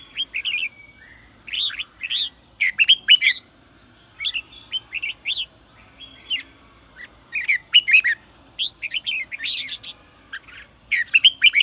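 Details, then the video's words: Red-whiskered bulbul delivering sổ bọng song to spur newly caught birds: repeated short rising and falling whistles in lively groups, punctuated by sharp clicking sounds and brief gaps. "chào mào sổ bọng thúc bổi/bổi nghe là ra bọng/bổi nghe là ức chế sổ bọng ngay"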